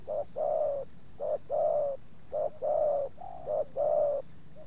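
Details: Spotted dove used to lure wild doves as two wild birds approach, the second resisting slightly. Rhythmic cooing, a clipped note followed by a longer mellow one, repeated steadily about once per second.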